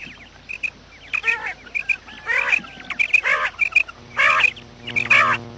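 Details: Morning quail calls meant to attract quails to traps: sharp short whistled notes mixed with rougher nasal bursts, irregularly spaced, and a low steady hum in the second half.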